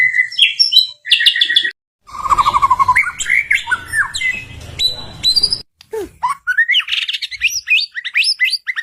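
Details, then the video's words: White-rumped shama song as a lure for caged birds: whistled phrases, a buzzy trill and squawky notes over rough background noise, with short silent breaks and a lively burst of high slurred notes at the end. "Suara Burung Murai Batu, Pancingan Burung Murai Batu Gacor, Ampuh Rangsangan Cepat Nyaut"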